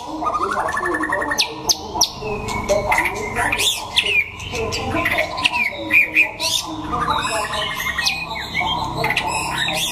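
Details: Singing contest of white-rumped shamas in Đắk Lắk, Vietnam: varied whistled phrases and quick slurred notes in bursts, mixed with sharp clicks and murmuring human speech behind.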